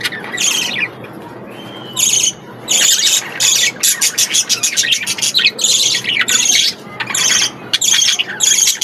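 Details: Budgerigars at play in an aviary; harsh broadband squawks in bursts about once a second, with softer chirps and background chatter between.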